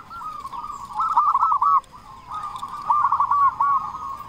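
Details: Local zebra dove with a big voice, used as a lure: two drawn-out, buzzy rolling coo phrases, rising in loudness toward their stuttered ends, over a faint steady hiss.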